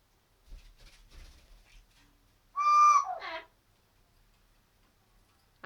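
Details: Pet Amazon parrot giving a loud, nasal, harmonic squawk that lasts under a second and then drops into a rougher note, after soft faint sounds, with a person speaking afterwards.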